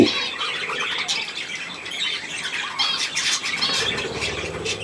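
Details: Budgerigars with their young, kept birds offered millet, giving dense squawking chatter with buzzy harmonic calls and short warbles in a small room, several birds calling at once.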